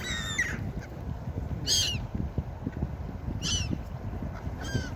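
Harsh, nasal gull cries come in brief bursts about every one to two seconds over a steady low roar of surf and wind.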